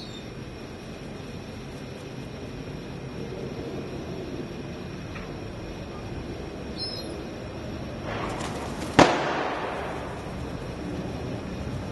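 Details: Steady outdoor rumble and hiss, swelling briefly before a single sharp crack like a firecracker; no animal calls stand out.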